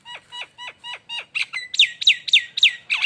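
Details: Nias hill myna lure song: a steady string of crisp descending notes about four per second, turning louder and harsher with bright, buzzy downward sweeps in the second half.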